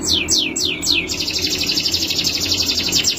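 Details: Male canary sings four loud downward-sweeping notes, then runs into a long, very fast rolling trill of high, evenly repeated notes.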